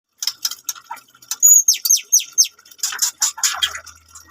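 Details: Captive-bred F1 white-rumped shama of Medan stock at a bird farm in Bungo, singing sharp high whistles, a long pure whistled note and rapid downward-sliding chirps in quick runs, with faint music underneath.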